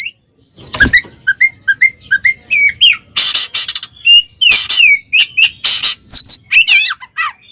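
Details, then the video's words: Loud ngeplong singing by a kacer (Oriental magpie-robin) aimed at a rival: a series of short slurred whistles repeated in steady succession, then dense harsh chattering bursts between clear downslurred notes. "suara burung Kacer NGEPLONG memanggil lawan bikin emosi Kacer lain"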